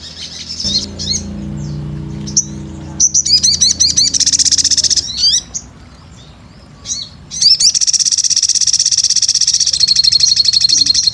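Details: Sunbird (sogon), energetic lure recording: high chirps and short buzzy rattles, a brief pause, then a long unbroken high rattling trill lasting several seconds. Low hum early on.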